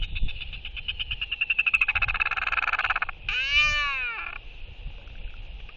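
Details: Royal albatross courtship interaction between two birds, skycalls and displays on 11.6.23; a long train of rapid rattling pulses speeding up and growing louder, followed by a single arched, harmonic moaning call, with wind in the background.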